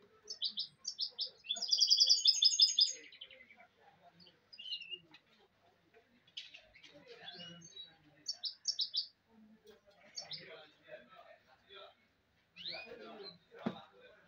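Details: Goldfinch hybrid (mule) singing a quick twittering song of bright chirps and trills, with a loud dense burst early on, then scattered phrases and short pauses over a quiet background.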